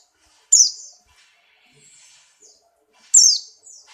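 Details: Buxtoni white-eye in strong breeding condition, hopping: two loud, very high, sharp downslurred twitter phrases about two and a half seconds apart, each followed by thin, soft trailing notes.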